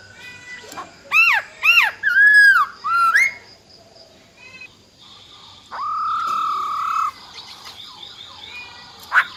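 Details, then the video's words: Female silver-eared laughingthrush singing a wild-type forest-voice song, used to stir males into singing. Burst of arched, rising-and-falling whistled notes, then a long, steady, slightly wavering whistle and faint higher chirps. "Tiếng Chim Khướu || Khưới Mái Bạc Má RO RO || Giọng Rừng Hót Chuẩn - Kích Trống Lên Lửa Cực Nhanh"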